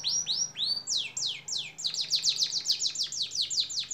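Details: Canary in full song for a long songbird training recording: loud, fast series of high downward-swooping notes, several per second, the tempo quickening into a dense rattling run.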